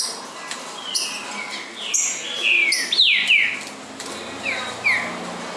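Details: Coleiro (double-collared seedeater, coleiro baiano) in an encarte song-training recording. Long descending whistles give way to rapid rising-then-falling slurred notes, with scattered high clicks. Quieter repeated slurs close the phrase.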